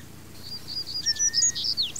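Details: Female double-collared seedeater giving a quick run of high, thin twittering notes with short slurred whistles, ending in a rising-falling chirp.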